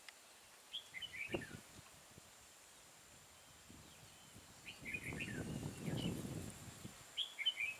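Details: Red-whiskered bulbul in trapping with an old caged decoy, 12 April 2018, giving a fighting song: three spaced bursts of short chirpy whistled phrases, with rustling and a louder shuffling noise in the middle.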